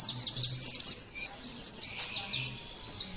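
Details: High, fast chattering from an Oriental white-eye: a stuttered pulsing opening, then a chain of rising and falling whistled slurs. Played to encourage other birds to imitate and sing hard.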